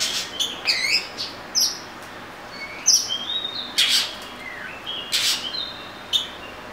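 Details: Oriental magpie-robin delivering short whistled phrases and bright clicking chips, loosely spaced, with several sharp accented notes standing out above a quiet hiss.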